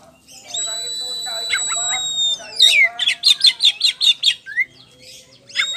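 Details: Champion Oriental magpie-robin, poci type, singing ngeplong style. A drawn-out steady whistle lasts almost two seconds and slides down, then breaks into a quick rhythmic series of about nine loud chipping notes and a short upward slur.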